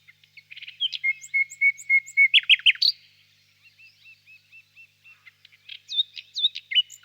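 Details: Warm spring evening, birch grove, nightingale singing in the distance: a steady series of level whistled notes, a burst of sharp phrases, then quieter repeated hooked notes and rising flourishes toward the end.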